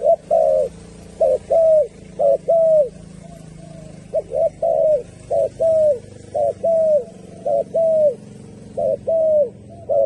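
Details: Turtle dove cooing in bursts of short-then-long falling notes, with gaps between bursts and a steady low hum with faint hiss behind.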